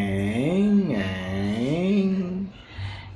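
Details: A low human voice hums or sings a wavering, rising and falling tone indoors; no bird whistle is heard.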